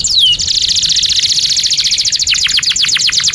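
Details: Energetic canary song used to teach young canaries and to prompt silent birds to sing. One high downslurred whistle opens a very fast, steady rolling trill that turns into separate descending pulses.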